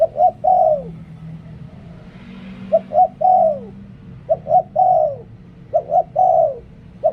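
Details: Decoy spotted dove giving five phrases of soft cooing, two short notes then a long falling note each time, with a faint low hum in the background.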